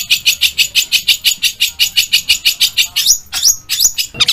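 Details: Rhythmic harsh notes from a long-tailed shrike, about four per second, giving way to sharp squeaky whistles sweeping up and down, in the style of mimicked calls.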